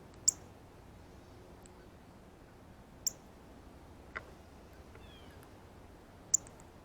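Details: Male Northern Cardinal eating seeds off a ripe banana at a feeder, giving sharp, very high, brief chip notes spaced a few seconds apart over a quiet background with faint low hum.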